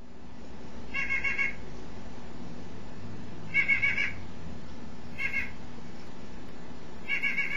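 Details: A nuthatch, first taken for an unknown bird and later confirmed by ear, gives four nasal, buzzy notes at uneven one-to-two-second intervals, each a short cluster of mid-pitched 'quank' sounds, over a steady low rumble.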